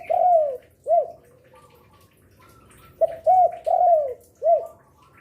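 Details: Lure spotted dove, an eager singer heard noon to night: a long falling coo and short arched note, then after a pause a full phrase of hooked notes and a drawn-out coo, with soft chirps of other small birds.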